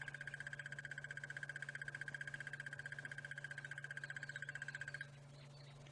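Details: Crested barbet calling during a sunrise safari drive in savanna bush on 30 September 2016: a long, fast, even cricket- or frog-like trill lasting about five seconds over the steady low hum of the vehicle engine.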